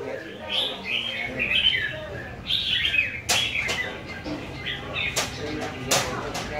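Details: Red-whiskered bulbuls at a singing competition in Vietnam: short whistled warbling phrases from several birds, with sharp clicking knocks and a low murmur of people in the background.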